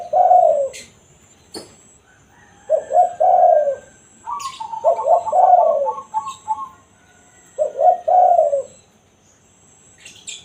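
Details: Wild-dove lure recording of a spotted dove's 'kuk satu' song: four low hoarse coo phrases, each double note plus falling tail, a quick pulsed trill midway, and a few sharp clicks.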